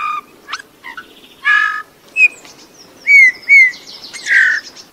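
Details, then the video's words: Eurasian bullfinch song: a quiet run of creaky, buzzy notes and soft piping whistles, with two flute-like whistles near the end and no other sounds. "chant de bouvreuils - song Pyrrhula - طائر الدغناش"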